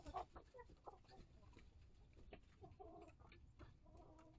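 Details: Coop hens and chicks of mixed breeds making low scattered clucks and a short cackling phrase over steady low hum and clatter.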